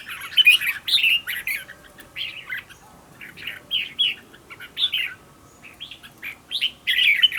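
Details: Red-whiskered bulbul kept as a decoy bird, singing in the quick-fire, intense style used for training. Short warbled, slurred whistle phrases come in bursts with brief pauses between them.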